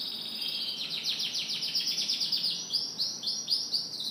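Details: Canary morning song: a rapid series of descending high-pitched sweeps repeated several times a second, followed by brighter rolling trill notes, clear and loud throughout.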